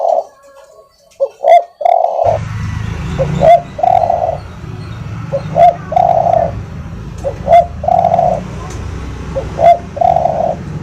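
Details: A spotted dove's soft training song: repeated three-part phrases of a clipped note, an upward slur and a sustained low coo, coming roughly every two seconds. A continuous low engine-like rumble is heard behind it.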